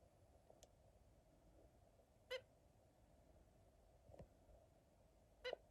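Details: Zebra finch (Taeniopygia guttata), calls.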